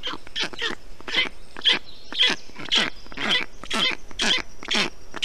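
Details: Nestling black storks in Estonia, 20 June 2021, calling on a hot day as their father cools the nest with water, moss and wet grass. Rasping, hoarse calls repeat steadily, about two per second.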